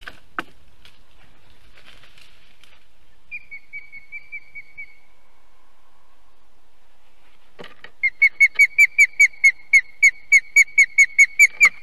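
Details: Estonian osprey at its nest on 2 July 2020, 7:22 pm, as a goshawk catches the second chick. A few faint notes come first, then a fast, insistent run of loud, sharp, high whistled notes repeated over several seconds.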